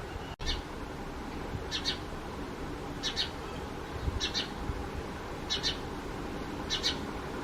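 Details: A house sparrow at a cardboard nest box it quickly adopted gives harsh, doubled chirps about every second or so over a low background rumble, with a sharp click at the start.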